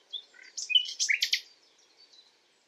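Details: Common nightingale recorded singing at night: a short whistle and low chirps lead into a loud phrase of rapid, harsh, clicking pulses lasting about a second, then fading soft twitters.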